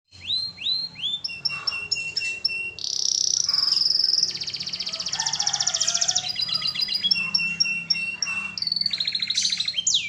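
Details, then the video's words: Canary singing a loud, varied song: rapid downward-sweeping chirps, then buzzy trills and rolling rattles shifting between high pitches, with short sharp notes and fast repeated phrases. "Masteran asli kicauan burung kenari gacor full paling indah dan merdu"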